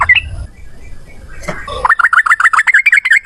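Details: Yellow-vented bulbul singing a gacor ropel song in one long breath with cucak rowo volume: after a brief burst of noise, quick whistled notes dipping and rising repeat about four times a second.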